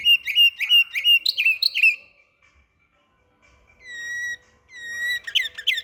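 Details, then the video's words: Canary singing in Samarkand: quick repeated chirped tour, a pause, then long pure steady whistles held for about half a second each, ending in a fresh burst of rapid notes. "САРИК БУЛБУЛ САМАРКАНДДА"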